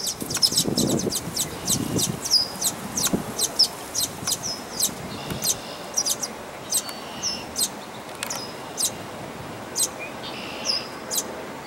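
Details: Red-winged blackbird nestlings in the nest at Dufferin Islands give thin, high, scratchy squeaks in quick uneven bursts, roughly one a second, over a faint low rumble; Red-winged Blackbird.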